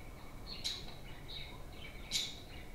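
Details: Two crisp, high chirps, roughly one and a half seconds apart, break through the gentle warbling of playful home budgerigars.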